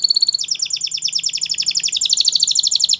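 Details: Belgian canary tutor song: a continuous fast rolling trill of rapid high notes, each slightly falling, with the pitch dipping a little partway through.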